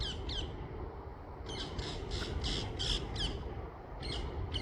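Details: Bright green parakeets in trees on a beautiful morning give harsh, grating squawks in quick bursts, several a second in clusters, over a low rumble of wind and outdoor noise.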